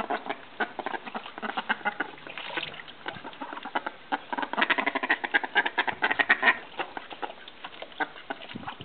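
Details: Call ducks (bantam mallards) in Australia during flirting and mating, giving a steady chorus of loud, raspy quacks in quick overlapping bursts, intensifying midway with a denser cluster of rapid calls before easing slightly.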